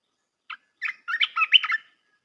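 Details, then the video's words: Training song of a red-whiskered bulbul for young birds: a lone short chirp followed by a dense, slightly harsh chattering warble of quick whistled syllables, a little quieter, lasting about a second. "เสียงนกกรงตาแดงEp.168 เสียงหัดนกลูกเสอ เพลงเพราะ น่าฟัง"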